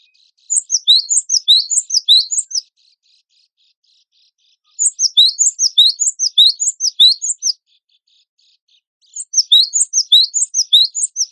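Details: Gelatik batu wingko (cinereous tit) singing steadily for contest training. Three runs of rapid, sharp, high-pitched chirps, about ten notes each, come with two-second silent gaps between them.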